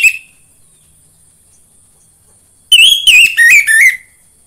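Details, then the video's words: Caged orange-headed thrush song played to prompt other birds into singing: a brief whistled note, a long silence, then a loud one-second run of clear slurred whistles stepping downward. "PANCINGAN AMPUH UNTUK BURUNG DIRUMAH UNTUK SEGALA JENIS ANIS MERAH SUAPAYA CEPAT GACOR"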